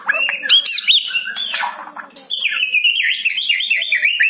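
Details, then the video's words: White-rumped shama singing, meant to provoke a captive shama into song: loud ringing whistles and harsh chatter, followed by a steady run of repeated high warbled notes. "PANCING MURAI BATU ANDA DENGAN SUARA INI"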